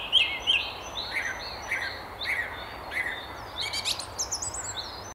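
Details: Wild song thrush perched high at a treetop along the River Tyne near Haddington, singing: crisp repeated phrases, bright whistled notes and rapid chirps in short bursts, a thin high tone running through, light ambient noise.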